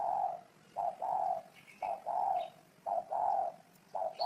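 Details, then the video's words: Low, rounded coos of a spotted dove repeated in rhythmic pairs, a brief note then a longer mellow one, about once a second. Faint high chirps sound in the background. "Tổng hợp tiếng chim cu gáy hay năm 2018"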